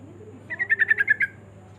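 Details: Yellow-vented bulbul in fast rolling song, a quick string of about eight bubbly, evenly spaced notes lasting under a second, over a low steady hum.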